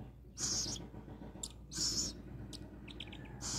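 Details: Little owl under rescue care, heard before feeding time, gives harsh rasping hisses of roughly half a second, repeated every second or so, with faint clicks between them and steady low hum behind.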